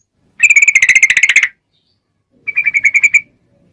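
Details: Sooty-headed bulbul with a long rapid-fire song for luring other bulbuls to answer: a one-second burst of fast, buzzy repeated notes, silence, then a shorter, softer trill of the same notes.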